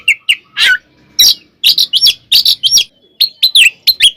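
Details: Fighting song of a vigorous oriental magpie-robin, played to make rival kacer aggressive: a staccato string of sharp, high chirps and slurred whistles, packed closely in the second half.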